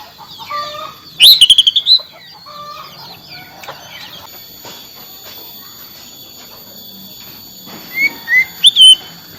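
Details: Oriental magpie-robin song, used to restart a silent bird: one burst of quick repeated whistles early on, then long quiet stretches with soft background noise and a few short whistles near the end.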